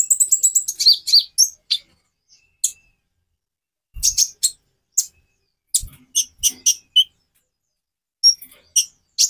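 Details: Konin bird song, a variation used to prompt other birds to sing: rapid high, sharp chirps and short whistled slurs in quick bursts, separated by brief pauses.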